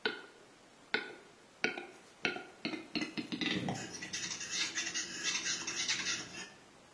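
Western capercaillie display song: dry clicks about a second apart speed up into a rattling roll, then a hissing, scraping whetting phase lasting several seconds.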